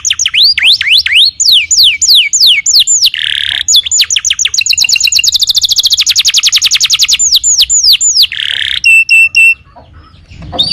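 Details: Canary song meant as a training recording for other songbirds: a series of high downslurred whistles, a brief harsh burst, then a long rapid trill speeding up, more whistles and a short buzzy phrase before fading.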